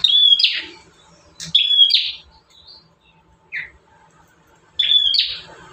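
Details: Bar-winged prinia singing in one of five song variations, kept as a master recording for training caged birds; three loud high two-part notes, each a sharp whistle dropping into a buzzy lower tail, spaced about two seconds apart, with a softer note between.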